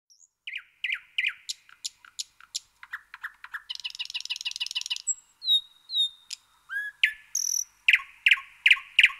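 A nightingale sings a rich, varied song: rapid clicking phrases, a fast buzzy rattle, pure whistled notes and loud repeated chooks, changing every second or two.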